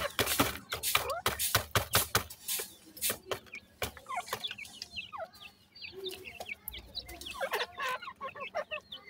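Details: Grey francolin (teetar) chicks from Pakistan: several rapid loud clicks or taps at first, then many small high curved peeps overlapping from multiple chicks.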